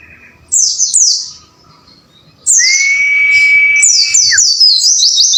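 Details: White-eye song used as a training recording for caged birds, in the 'wucit wucit' style: high, thin, downward-slurred notes in quick series, broken by a pause, with a long level whistle lasting about two seconds partway through.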